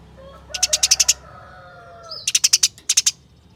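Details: Caged house sparrow singing in contest-style 'ngeroll' (rolling) fashion, kept for songbird competitions; two quick bursts of about seven sharp, high clicking chirps in rapid succession, with a faint lower whistling background.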